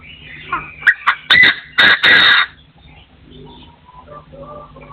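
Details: Partridge crowing in 2024: rapid harsh notes climbing into loud grating rasps for about two seconds, then soft distant chirping birds against a low background hum.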